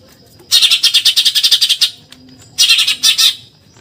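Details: Eurasian tree sparrow giving its rapid 'tembakan nyerecet' chatter, recorded as training material for contest songbirds: a long burst of about a dozen harsh, buzzy notes over one second, a pause, then a shorter burst of similar notes.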